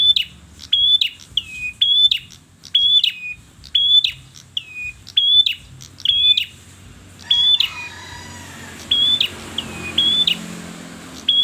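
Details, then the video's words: Red-headed bird singing persistently: a steady run of short whistled notes, each sliding down from a high pitch, repeated about twice a second, then a brief pause and fainter, sparser notes with a light hiss behind. "perjak kepala Mera bunyi ngotot"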